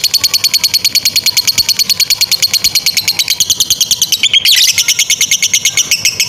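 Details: Lovebird singing a long ngekek trill, offered as a master recording for young or non-singing lovebirds: a steady machine-gun rattle of high, buzzy notes, briefly dipping with a sweeping squeal before resuming.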